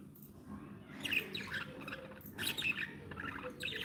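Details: Happy pet budgerigars softly chattering, quiet clusters of twittering chirps that swell and fade, set against steady low background noise.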